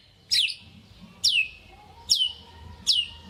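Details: White-rumped shama from a lure recording for rousing lazy shamas: four sharp high notes sweeping steeply downward, spaced roughly a second apart, with faint low background hum.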